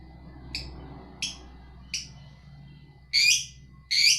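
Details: Lovebird, whose song style is called ngekek. Short, sharp chirps sound about every 0.7 seconds over a low background hum, and the last two chirps are louder and harsher.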